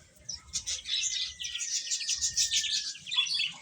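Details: Baby chickens feeding, producing a dense, shrill stream of rapid overlapping peeps with a long thin whistled note running underneath.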